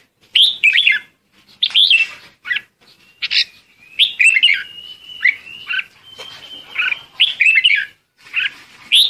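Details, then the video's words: Red-whiskered bulbul calling the flock: cheerful, liquid warbles in short bursts roughly every second, with a thin, level whistle running through the middle of the sequence. "Chim chào mào gọi đàn"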